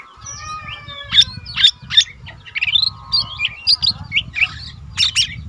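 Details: Lesser green leafbird kept in a cage, an untrained bird singing often, for tutoring other cage birds. Spaced whistled notes and short slurred chirps, some bright and piercing, over a constant low rumble and a steady tone.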